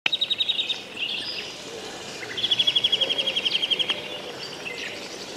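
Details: Several birds singing on a morning riverbank with poplars, with a fast, evenly repeated series of high notes twice, over a wash of distant chirping and soft background noise.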